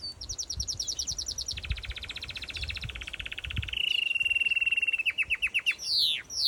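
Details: Yellow canary singing in an outdoor mixed aviary with finches and softbills: a fast trill of high notes drops into a long buzzing roll, then a steady whistled run, spaced repeated chips and a final falling sweep.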